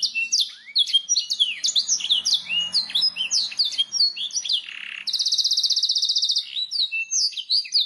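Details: Canary masteran song, a training recording to make birds sing: jumbled quick whistled notes and sweeps, a buzzy dip near four and a half seconds, then a long rapid trill and more chirping phrases.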